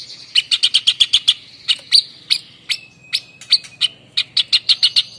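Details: Indonesian endemic White-breasted babbler, called sniper, giving its coarse shooting 'nembak' song: quick series of sharp high staccato notes, about six a second, broken by short pauses and a few thin connecting whistles.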